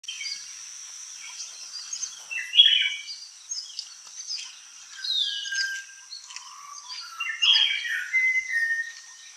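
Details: In an Indian forest, a Malabar Whistling Thrush sings loose, rambling phrases of clear whistles with some sliding notes, over a steady high insect trill and other faint bird calls.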